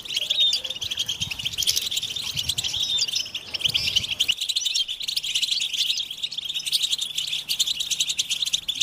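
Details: European goldfinch song played to stimulate captive males to sing; dense, rapid high twittering and tinkling chirps from several birds overlap continuously, a low hum underneath during the first half.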